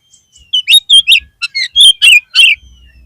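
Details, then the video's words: Oriental magpie-robin song used as a lure to lift the spirits of a flagging kept bird: a faint thin whistle, then a fast run of loud, sharp, high chirps and slurred whistled notes, about ten in quick succession. "PANCINGAN KACER PALING AMPUH UNTUK MENAIKAN MENTAL KACER YANG DROP !!!!"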